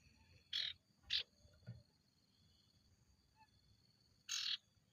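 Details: Ashy tailorbird (sirtu) lure song: two sharp buzzy notes close together, a faint third, then a longer rasping note after a pause of nearly three seconds, over a faint steady hum.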